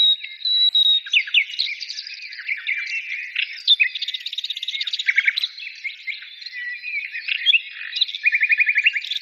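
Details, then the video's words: Singing birds in a busy tangle of high notes: a steady whistle at the start, then rapid twittering, clicks and a fast dry trill near the end. "birds singing"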